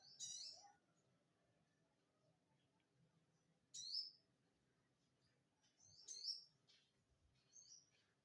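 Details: Crimson sunbird singing in the style called 'rasa ciblek', resembling a bar-winged prinia: sharp, high, thin chirps and short trills, delivered in separate bursts a few seconds apart over a quiet, low background hum.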